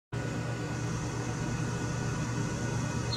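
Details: A steady mechanical hum and low drone start abruptly and continue throughout, with no animal song.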